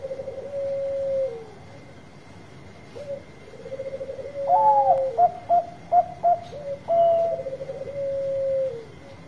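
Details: Bangkok-type Zebra dove giving full song meant to coax reluctant birds into singing: long level coos and soft rattling trills, then a run of loud clipped staccato coos and a final sustained coo, with a constant faint hum.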